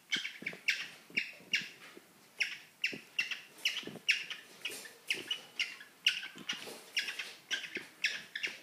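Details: A pair of pet cockatiels mating, giving harsh, raspy chirps in a steady stream, two or three a second, with short scratchy bursts between them.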